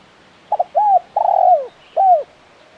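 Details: Spotted dove (tekukur) with a KUK 1 call: a doubled short note, a rising-falling coo, a long vibrating coo sliding down, and a final curved coo, all in about two seconds.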